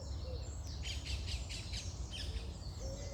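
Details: Birds singing in the morning: a series of buzzy, rattling notes repeated in a quick run, with high thin whistles and soft low whistles behind, over constant low rumble.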